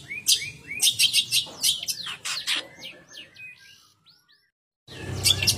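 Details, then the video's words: Long-tailed shrike from Banyuwangi singing a rapid, chattering run of sharp high chirps and short slurred whistles, ending in a trailing series of thin notes, then a brief silence before another burst of chirps. "Cendet Banyuwangi Bersuara"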